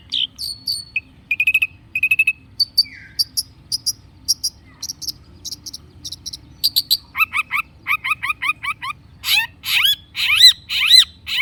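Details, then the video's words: Long-tailed shrike in lively song, used as a lure to get silent shrikes singing: a fast, varied run of sharp chirps, short whistles and buzzy notes, becoming dense rapid trills and rising slurred whistles toward the end. "kicau cendet gacor pancingan cendet stres macet bunyi JADIKAN cendet NYAUT GACOR"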